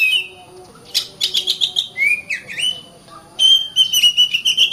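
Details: Oriental magpie-robin in a cage giving a full song: rapid scratchy chatter mixed with clear slurred whistles and long sweet notes, delivered in fast varied bursts.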